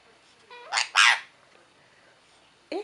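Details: A sun conure gives two loud, harsh, raspy screeches, which the owner thinks was the bird saying "what's up", with a person's voice nearby greeting it.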